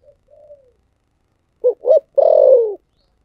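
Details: Spotted dove giving a thổ sấm style coo phrase. A soft, faint, descending coo comes first, then two short punchy notes and a long, loud, rough coo falling in pitch at the end. The setting is quiet.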